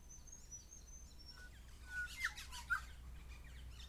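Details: Grey shrike-thrush pair calling: a thin high whistle, then level whistles and two sharp emphatic notes, accompanied by harsh broad-band bursts from other birds.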